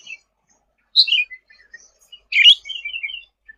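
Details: Sooty-headed bulbul in active song, recorded for tutoring songbirds: two loud chirped bursts about a second and a half apart, each trailing into softer twittering notes.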